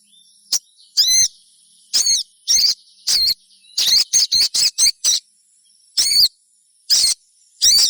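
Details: Sogon's trilling lure call to set other sogons singing: rattling, high, wavering notes repeated in bursts, then a quick run of about six short chirps near the middle, backed by a steady high hum.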